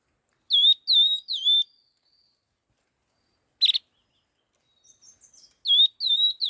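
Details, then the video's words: Laughingthrush singing rapidly. Three ringing whistled notes, each falling then rising slightly, are followed by a pause, a harsh buzzy burst, soft twitters, then another trio of whistles. "Tiếng chim khướu lùi đuôi hung hót kích nhanh"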